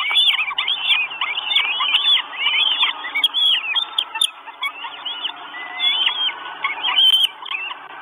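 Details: Four Northern goshawk chicks in Estonia, 1 June 2022, nest camera, begging for food: a loud chorus of sharp bent whistles crowding together at first, then thinning to sparser single squeals.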